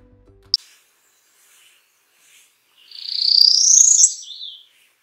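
Northern Parula: one sharp high chip, then a buzzy trill about two seconds long that climbs steeply and ends in a quick lower flick.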